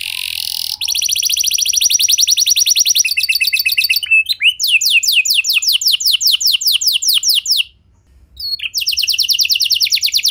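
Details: Canary singing to draw other canaries into song, with long dense trills shifting to faster downslurred rolls, a brief gap near the end, then the trilling resumes.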